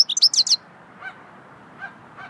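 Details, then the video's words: Swittey song of a goldfinch: a fast spurt of high, sparkling twitter notes, then three softer, lower, nasal call notes spaced roughly half a second apart over quiet background noise. "Singing swittey goldfinch song"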